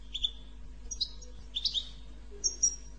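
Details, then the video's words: Goldfinch 'bitbita' phrases used to get goldfinches singing: a few twittering chirps, a brief buzzy trill, then a long thin high whistle near the end, over a faint hum. "أقوى بتبتة لتحفيز الحسون على التغريد"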